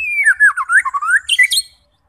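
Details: White-rumped shama song played to rouse fighter birds into singing: a brief warbled phrase of sliding whistles dipping and rising, closing with a few higher sharp notes before silence.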